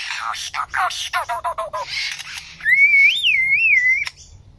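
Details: Lyrebird giving a quick run of short descending chirps and clicks, followed by a loud, clear whistle that waves up and down for over a second before cutting off.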